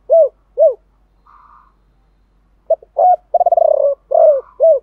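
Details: Male and female spotted dove cooing in a 'thổ sấm' voice style played to trigger cooing in other doves. Two lone arched hoots, a pause with a faint hum, then a clipped start, rapid purring roll and falling coos.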